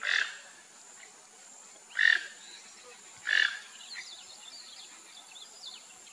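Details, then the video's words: Rufous-tailed jacamar (Galbula ruficauda) giving three sharp, high calls about every one and a half seconds, with faint chirps from other birds and a steady insect hiss behind. "ARIRAMBA-DE-CAUDA-RUIVA (GALBULA RUFICAUDA), RUFOUS-TAILED JACAMAR"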